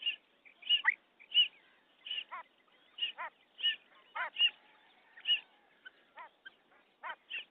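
A female common quail gives short, high, nasal notes, often in quick pairs, about every half second. Some notes drop sharply in pitch.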